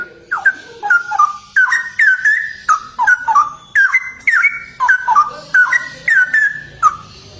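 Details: Sustained 'gacor' song of a Straw-headed bulbul: loud, melodious gurgling whistles repeated in phrases about every half second, swooping up and down throughout, with only brief gaps.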